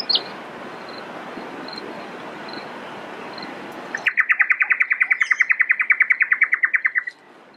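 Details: A Brown Honeyeater at Eurong Beach Resort on Fraser Island, Queensland, Australia, on 20 December 2012. After steady rushing background noise with faint high peeps, it gives a fast, even run of about two dozen sharp, mid-pitched notes over three seconds.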